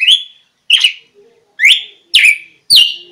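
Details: Red-cowled cardinal song, played as a lure to draw wild birds closer: five short, clear whistled notes, each slurring downward, delivered at roughly half-second intervals, with faint low knocks between them.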